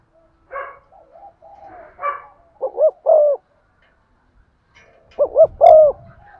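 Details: Spotted dove lure bird cooing to excite other doves, 'giọng son' voice: after softer rough calls and murmurs, two clear phrases of two quick hooked coos and a drawn falling note, with some low rumbling near the end.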